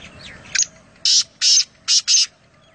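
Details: Black francolin, known locally as kala teetar, at Nawabshah, Pakistan: one short chip followed by four harsh, buzzy, evenly spaced notes in a quick burst, over soft background noise.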